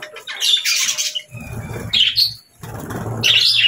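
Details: Morning chirping from budgerigars in three bursts of harsh, buzzy chatter, each about half a second long. Low rumbling knocks fill the gaps between bursts.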